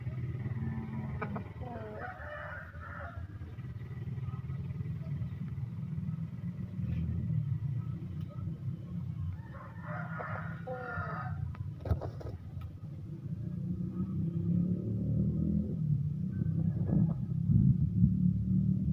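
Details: One-year-old Bangkok chicken rooster, a fighting breed said to be unbeaten in its village, crowing twice, with harsh harmonic crows about two seconds long near the start and again around ten seconds, over a steady low engine rumble and scattered clicks.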